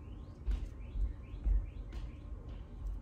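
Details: Female cockatiel giving a mating call: a run of short rising whistled sweeps, roughly two per second, some overlapping, heard over a steady low rumble in the background.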